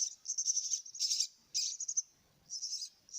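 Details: Myna chicks being fed give short bursts of shrill, hissing begging calls, separated by quiet gaps.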